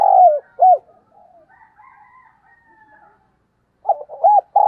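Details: Morning cooing of a spotted dove used as a decoy: a hooting phrase breaks off, faint thin sounds fill a pause, then another run of rounded coos begins.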